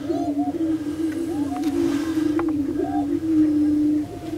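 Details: Prairie chickens on a lek at Bluestem Prairie Preserve, Glyndon, Minnesota: a steady, overlapping low hooting drone runs throughout, with brief rising whoops and cackles above it.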